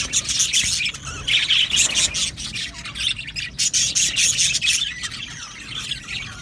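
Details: Budgerigars in an aviary colony, a steady stream of squeaky chirps, warbled trills and scratchy squawks from many birds, rising and falling in loose pulses.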